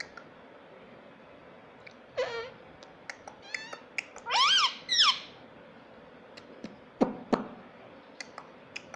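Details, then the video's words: Pet rose-ringed parakeet, kept indoors, talking and mimicking the word "mummy": a few short, rising, harmonic voice-like calls spaced over several seconds, with clicks and faint room noise between them. "Mummy Papa Bolunga Meto || Parrot Talking || Bolne wala tota"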